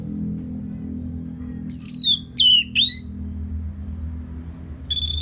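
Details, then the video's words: Orange-headed thrush after moulting, played to make the bird more aggressive: three loud, high, sweeping whistles that slide downward, then a brief higher note, over a steady low droning background. "Pancingan Suara Burung ANIS MERAH Pasca Mabung || Selow Bikin Burung Bergairah jadi lebih agresif"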